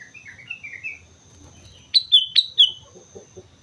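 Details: Sooty-headed bulbul singing vigorously on Mount Slamet: soft whistled notes, then two loud bubbly phrases of sharp down-slurred whistles, a quiet low rumble beneath.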